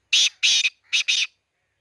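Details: Black francolin at Khushab, giving a loud, harsh, grating call of four rasping notes in two pairs, clean with no other sounds.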